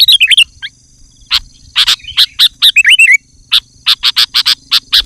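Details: Sooty-headed bulbul in loud, dense song used to lure wild birds and provoke rivals: quick whistled phrases sliding between high and mid pitch, broken by sharp, clicky bursts in irregular runs.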